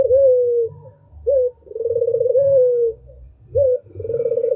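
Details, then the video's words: Albino Barbary dove delivering its melodious song, a quick rising opening note followed by a long rolling, slightly descending coo, repeated twice with a gap. "SUARA TAJAM !!! BURUNG PUTER ALBINO ll SUARA BURUNG PUTER MERDU"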